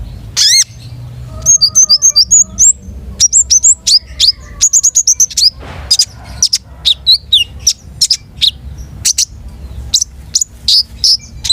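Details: Long-tailed shrike singing with varied material: a harsh falling opening note, then a long stream of high whistles, chirps and slurred notes in bursts lasting over ten seconds, with a faint lower whistle early on.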